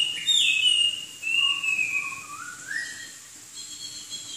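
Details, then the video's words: Chinese hwamei singing a rich whistled phrase: a loud high note, then smooth notes dipping lower and sweeping back up in a flowing, melodic line over quiet background hiss. "Kicau Burung Hwamei Wambi Gacor"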